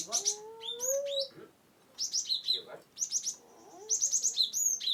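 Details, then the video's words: Cinereous tit, known locally as gelatik batu, recorded in Wonosobo as a lure for silent birds: clusters of sharp descending high notes separated by short gaps, with faint low whistled slurs early on. "GelatikBatu(Cimberet/Glatikwingko) Pas untuk Burung yang tidak mau bunyi"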